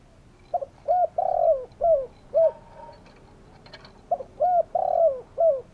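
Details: Spotted dove calling in two full phrases of soft coos, each a stuttered start, short coos and one long falling coo; a faint clatter between phrases.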